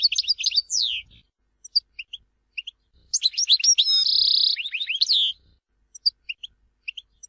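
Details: European goldfinch song, Tizi Ouzou, Algeria: rapid liquid twitters and descending slurs, a sustained buzzy note mid-phrase, then scattered single high chirps in a quiet setting.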